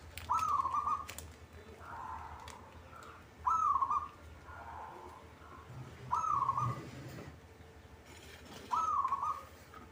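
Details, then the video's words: Local zebra dove (perkutut) cooing: a short bright phrase of quick notes, repeated about every two and a half seconds, with softer murmuring sounds and background hiss between phrases. "hitungan detik perkutut cepat bunyi atau gacor"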